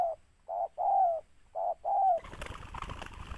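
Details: Spotted dove sought by bird trappers gives two pairs of mellow coos, each a short note then a longer falling one, followed by loud rustling and handling noise.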